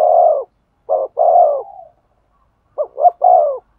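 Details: Spotted dove cooing to stimulate a male: low, mellow coos in short phrases, a long falling coo, a pause, then two quick notes and another drawn-out falling coo, clean and without background noise.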